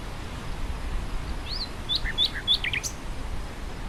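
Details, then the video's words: A Common Nightingale sings a quick phrase of varied high chirps, slurred whistles and clipped notes lasting about a second and a half, over steady wind rushing through grassland. "nightingale birdsong"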